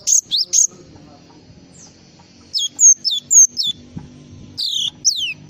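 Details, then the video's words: A Java sparrow gives its full song: sharp high chirps in pairs and short bursts that drop quickly in pitch, separated by pauses, against faint low background hum. "SUARA BURUNG GLATIK FULL ISIAN"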